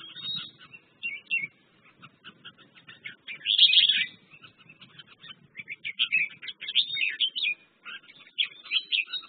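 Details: Red-whiskered bulbul (merbah jambul) delivering busy chattering phrases of sharp chirps and short warbles, with a louder burst near the middle, over a soft background rumble.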